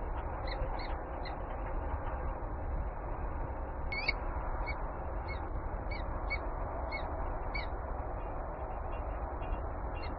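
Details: Peregrine falcon in Warsaw, Poland, giving short, sharp, high notes repeated irregularly about every half second, faint against heavy, constant low city rumble.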